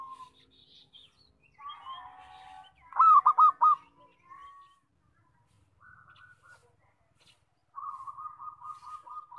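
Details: Local zebra dove singing loudly, song used as a trapping lure: a soft trill, then a burst of about four sharp clipped coos, a quieter short series, and a long rapid purring run to finish; faint higher chirps of another bird.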